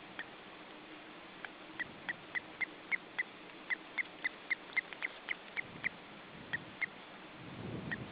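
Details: Male osprey visiting his three-week-old chicks at the nest in July 2012: a string of short, sharp, high chirps, about twenty over seven seconds at an uneven pace, over steady hiss with a low rustle at the end.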